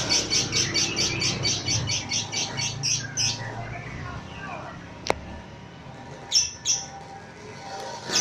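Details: Agitated lovebird reacting to a lure recording: a quick, even series of high scratchy chirps for about three seconds, then quieter spells broken by a sharp click and a few shrill squeaks.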